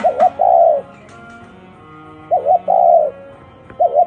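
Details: Spotted dove giving unusual coos: a quick wavering double note followed by a long, drawn-out hollow coo, repeated, with a steady faint tonal hum behind.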